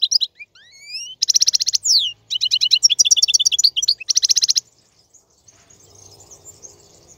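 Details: Male European goldfinch tutor song for training young birds. Opens with rising whistled slides, then fast repeated chirps and buzzy trilled bursts, ending abruptly in near silence with faint low background hum.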